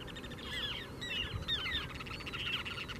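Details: Ruddy turnstones, a flock of four in breeding plumage in Michigan on May 16, call over one another in quick, rattling, chattering bursts of short notes over a steady low rumble of wind or surf.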